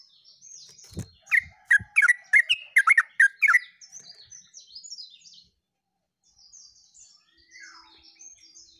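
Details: Yellow-vented bulbul, 29/08/24, in a lively, continuous "uglak uglik" song: a couple of knocks, then a rapid string of around ten loud, warbled notes over two seconds, followed by high, thin chatter from other birds.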